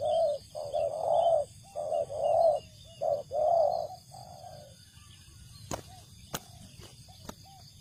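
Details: Spotted dove cooing at a rice field used for luring birds: six soft low coos in quick succession, then quiet with a few sharp clicks and a steady background hum.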